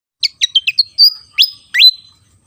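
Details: Javan fantail, an insect-eating bird of Java, singing vigorously: five quick descending chirps, then a level whistle and two loud upslurred whistles that end in long high tones, on a quiet background.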